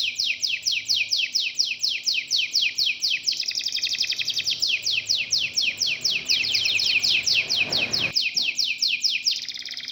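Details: Domestic canary of a local breed singing a continuous, lively song of fast repeated down-slurred whistled notes, with rolling trills mixed in, plus a brief burst of broadband noise near the eighth second.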